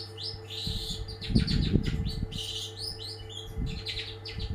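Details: Energetic long-tailed shrike song from a first-place bird: scratchy chattering phrases and chirps mixed with low thumps and bumping noises over a hum.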